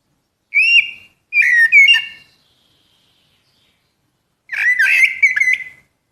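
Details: Common blackbird (Turdus merula) sings a pure whistle, then a fluty warbled run, and after a long quiet gap a busier phrase of tumbling whistles and sharp chips.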